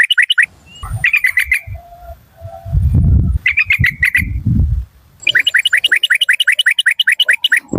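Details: Yellow-vented bulbul decoy of the Malay strain, called fierce: bursts of quick 'rik' notes at the start and middle, separated by loud low rustling or handling noise, then a long, fast, even rattling series.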